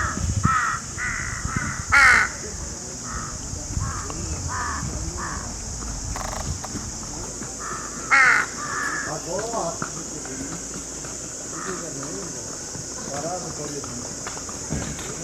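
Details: Crow calls meant to attract crows: scattered harsh caws of varying loudness, two louder rasping bursts, over a continuous high hiss and low rumble.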